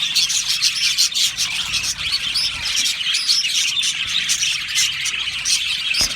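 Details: Australian budgerigars in a colony, singing and chirping together: a dense, continuous wash of high chirps, warbles and squawky notes from many birds at once, with no single voice standing out.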